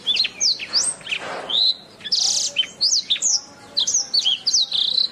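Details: Canary master song (masteran) used to train other birds: fast run of high whistled upslurs and downslurs, a brief harsh burst, then a sustained buzzy rattle, followed by more chirped sweeps and a closing whistle.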